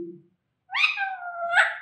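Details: Pet Alexandrine parrot kept indoors during speech training, taught to say Jai Shri Ram and Mithu Bete; a short low sound, a pause, then a harsh harmonic vocalization that drops and flattens into a long level tone with a brief rise at the end.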